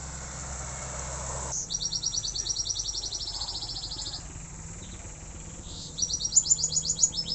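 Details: Caged canary learning to sing, giving fast trills of repeated high notes in a long burst, a pause, then another rapid series ending in very high sharp notes; a low engine hum runs underneath.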